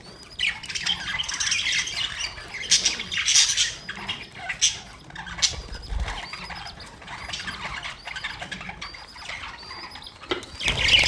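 Budgerigars chirp and chatter in a busy, high-pitched stream of squeaks and warbles.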